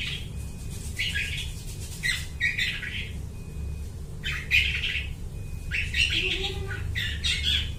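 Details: Long-tailed shrike in full song, imitating other birds, used as a lure for trapping birds: harsh, scratchy bursts at mid-high pitch in irregular runs, with thin steady whistles between them and a low rumbling background.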